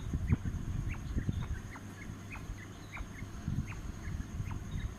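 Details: Fighting quail giving sharp, clipped chirps, each a brief downward flick, repeated about every half second over low thumping, rumbling background and a thin steady high tone.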